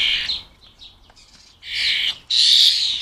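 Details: Short, harsh buzzing squawks from fledgling European starlings being fed at a UK garden, two loud rasping bursts following quieter scratchy notes.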